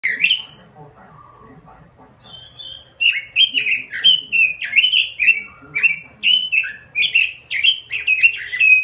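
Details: Caged robin singing energetically in a small cage; after a quiet start with a faint low note, a run of bright whistled, warbling phrases repeats rapidly and steadily for the last six seconds.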